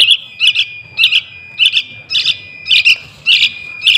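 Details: Young sooty-headed bulbul calling, played to lure wild birds: crisp double and triple chirps, high and bright, repeated almost twice a second, steady faint high tone underneath.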